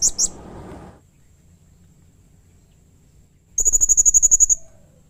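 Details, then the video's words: Blue-crowned hanging parrot giving harsh, aggressive calls: a brief squeaky double note with noise, a long silence, then a fast, regular run of about twelve thin high notes. "Burung Serindit GACOR Nembak Emosi Mbeset Kasar || Bikin Serindit lain Emosi ikut Bunyi"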